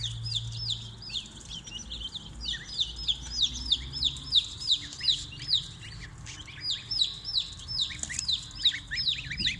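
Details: Baby chicks from two batches kept in a brooder peep constantly, bright high notes coming in quick pulsing bursts about three per second over a faint low hum.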